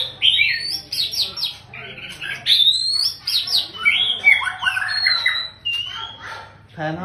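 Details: Long-tailed male white-rumped shama, a fine singer whose chick follows its father's song, delivering a rich, varied run of clear whistles and slurred, rising and falling notes with rapid chattering bursts, pausing briefly between phrases.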